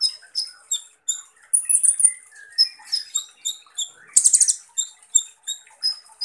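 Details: Van Hasselt's sunbird in full rough "shooting" song gives a rapid string of thin, very high, sharp chips and short buzzy trills, about two notes a second, with one harsh rattling burst midway.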